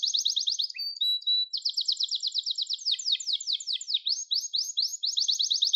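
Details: Gloster canary in full song for canary training: continuous high rolling trills, broken once by a brief level whistle, then run into a pulsed roll and a series of quick, sharply repeated trill notes.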